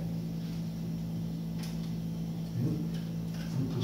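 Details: Only a steady low hum with faint knocks and rustles is heard, and no animal voice.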